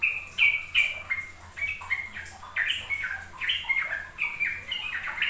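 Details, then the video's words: Sooty-headed bulbul singing in the rapid ropel style, played to lure young untrained birds into learning it: bubbling, slurred whistled phrases, many falling notes in quick overlapping succession, a low hum beneath. "Pancingan trucuk agar trucukan BAHAN PAUD ikut belajar ropel"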